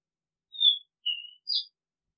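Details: Oriental magpie-robin giving a decoy call: three short, clear whistled notes, the first steady and high, the second a little lower and level, the third higher and slightly buzzy, each separated by a brief silence, with no other sounds.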